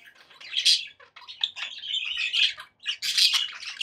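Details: Pet budgies making happy chatter: bursts of buzzy, squawking warble broken by brief gaps, loudest at the start and end.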